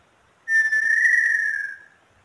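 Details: One drawn-out, flute-like whistle from a small-billed tinamou, starting abruptly, holding steady and easing slightly downward over about 1.3 seconds.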